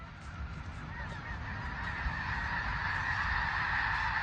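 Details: Millions of disturbed wild snow geese near Saskatoon, Saskatchewan, extremely loud: a dense, continuous roar of overlapping honking calls, swelling slightly in volume, with low wind rumble underneath.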